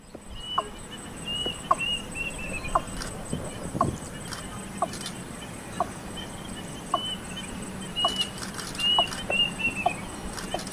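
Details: Female Watercock recorded in June 2017 on the outskirts of Kolkata, West Bengal, India: short, sharp notes repeated roughly once a second over a steady background hum, with a thin buzzy sound higher up at times.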